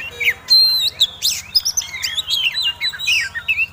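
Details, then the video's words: Oriental magpie-robin, a fighting-type bird of the kind entered in songbird contests, singing a provocative lure song: rapid varied whistles, sharp upslurred notes and dry chips in quick succession, with a low steady hum underneath. "Kacer Tarung Ngobra Ngotot Gayanya Eksotik Bikin Ngiler || Pancingan Mewah!!!"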